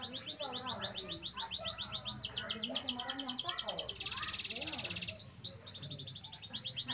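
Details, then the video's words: A pet Milo canary that does not cling to the cage bars sings a long run of high, rapid rolling trills that shift in pitch and speed, with a man's voice talking quietly underneath. "KENARI SAKTI ANTI NGRUJI"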